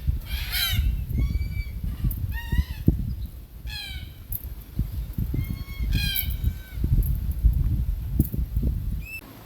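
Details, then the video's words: Red-tailed black cockatoo eating Beach Almond (Terminalia catappa) seeds in Australia. Short, harsh, upward-curving calls repeat every second or two, mixed with heavy low-pitched thumps and rustling from handling or nearby movement. "Red-tailed Black Cockatoo Call"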